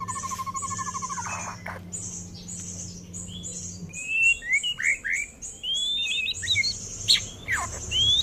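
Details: Caged-bred young male white-rumped shama, hatched 12 October 2024 and tail-pushing at six months, gives a stuttering whistle, then quick varied chirps and slurred notes against shrill insect noise and low hum.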